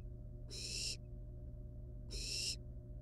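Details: Wild barn owl nestlings handling a live rat at their nest; two loud, breathy screeching hisses, each around half a second, separated by a quiet gap, with background hum.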